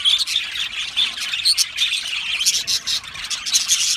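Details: Australian budgerigar colony in an aviary: dense, continuous chatter of many birds, with overlapping squawks and high chirps that keep the din unbroken.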